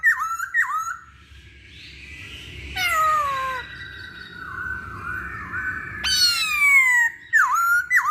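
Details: Lure recording of a masked laughingthrush to stir other birds into song: two sharp downslurred whistles, a long harsh descending squeal, a wavering buzzy stretch, another loud falling screech, then two more quick whistles.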